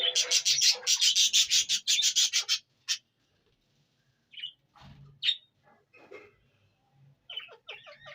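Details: Indian ringneck parrot from Punjab, Pakistan: a fast run of harsh, grating screeches for over two seconds, then scattered softer chatters and short squawks with gaps of quiet.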